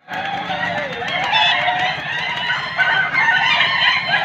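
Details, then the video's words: Several laughing-chicken (ayam ketawa, a South Sulawesi breed) roosters crow together at a contest, where the longest laughing-rhythm crow wins: long, wavering, cackling crows overlapping without pause, with faint human voices underneath. "lomba ayam gagak/ ketawa || penilaian berdasarkan ayam yang sering berkokok dan panjang kokoknya."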